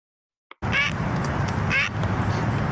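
Great Blue Heron giving two short, harsh croaks about a second apart, each like a soft crow caw, over a steady low rumble of background noise.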